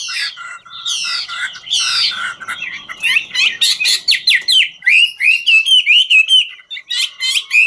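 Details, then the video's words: Chinese hwamei of the ngũ trường song style, singing while dancing: a rich, varied run of loud whistled and slurred phrases, broken by rapid repeated chirpy notes, fast and restless. "Họa mi ngũ trường hót múa cực chất"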